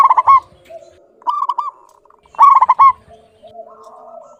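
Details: Clear-voiced local zebra dove singing freely: loud clipped coo bursts alternate with softer, lower rolling trills, the strong burst returning about every two seconds.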